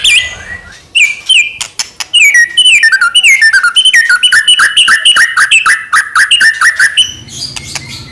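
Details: White-rumped shama of the Medan strain singing to provoke other shamas: a long string of descending whistled slurs repeated rapidly, with sharp clicks, ending in a soft low hum.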